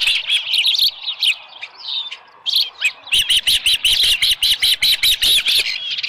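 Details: Ospreys calling at the nest early on a July 2018 morning, a headless fish brought in; shrill whistled chirps, first irregular, then a steady run of evenly spaced piercing notes, about one and a half per second.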